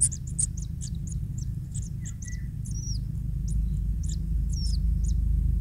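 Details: Newly hatched, still-naked kingfisher chick fed fish by its parent: rapid thin high chips about three per second, a few short rising whistles, steady low rumble underneath.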